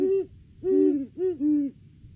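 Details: Duetting pair of Great horned owls at their nest tree in the off-season, December 3, 2022: four deep hoots in two quick doubled groups, one voice a little higher than the other, alternating closely.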